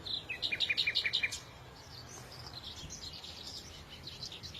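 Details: Bird song with a short run of about ten evenly spaced, bright double-pitched notes in just over a second, then faint distant twittering in the background.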